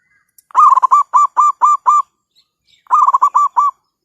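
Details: Zebra dove, a wild forest bird calling back to a trapper's lure, on a cloudy day after overnight rain when many birds are nesting. Two loud bursts of quick, rolling coos, each ending in evenly spaced notes, over a near-silent background.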